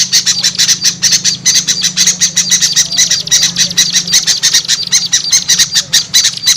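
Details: Small birds calling in a lure recording to attract small birds: continuous rapid, harsh, high chatter of evenly spaced pulses, with a low steady hum underneath.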